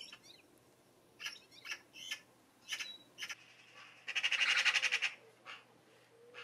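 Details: Eurasian Magpie, a UK garden bird, giving harsh, dry chak notes, spaced and single at first, then a fast rattling chatter of about a dozen notes.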